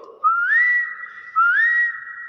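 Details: A common hill myna (Gracula religiosa intermedia), Thailand, gives two loud, clear whistles about a second apart. Each rises smoothly, then holds a steady high note, with no other sounds.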